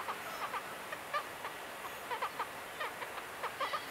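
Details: Wild Black-legged Kittiwakes, plentiful breeders in mid-May on the Ona/Sandøy islands, Møre and Romsdal, coastal Norway: a dense chatter of overlapping nasal, clipped calls from many birds, rising and falling quickly, almost continuous across the clip.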